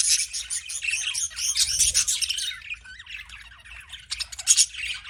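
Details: Busy budgerigar chirping: overlapping high twittering and harsh squawky notes run continuously, easing a little in the middle, then rising again with a few sharp peaks near the end.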